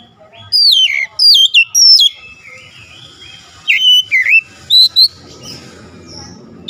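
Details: Oriental magpie-robin singing loud, twisting whistled notes, first a quick trio, then a pause, then several more sharp slurred phrases.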